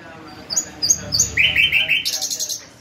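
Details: Bulbul gives a short run of high whistled notes, then a fuller warbled phrase and a rapid chirping trill, with quiet talking in the background.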